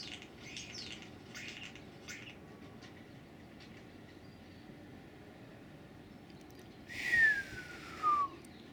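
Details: A bird on a balcony giving varied, funny noises. Faint chirps at the start give way to quiet, then one clear whistle that slides steadily downward and ends with a short second note. A low background rumble continues throughout.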